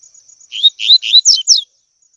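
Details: A double-collared seedeater gives its tui tui phrase for training young birds: three buzzy upslurred whistles, then two or three quick downslurred high notes, all in about one second. A thin continuous whine runs underneath.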